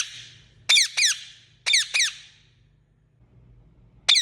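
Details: Indian ringneck parakeet chirping: two quick pairs of shrill, downward-sliding notes, then a single note after a silent gap, with a faint low hum in the background.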